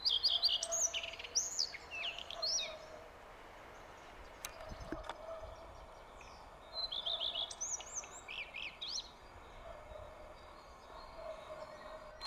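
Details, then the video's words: Common redstart singing several phrases over twelve seconds: each begins with high repeated notes and breaks into scratchy, swooping, twittered flourishes, with pauses between and a soft rustling background. "обыкновенная горихвостка"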